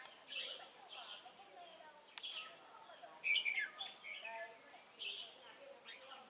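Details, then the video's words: Red-whiskered bulbul used as a decoy for trapping at Chùa Hương on 28 November 2017, giving short bright warbled phrases with rising and falling notes in loose bursts, with faint background chatter. "Bẫy chào mào Chùa hương chơi mau mỏ"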